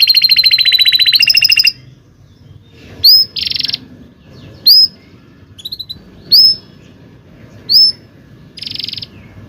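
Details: Singing canary used as a song tutor for young canaries: a fast high trill, then separate short phrases with pauses, sharp upslurred whistles and brief buzzy bursts, over a quiet low background.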